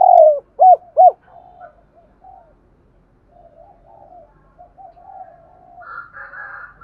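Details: Daily calling of a lure spotted dove: a long falling coo and two quick hooked notes open, followed by seconds of soft, low murmuring and a faint buzzy sound near the end.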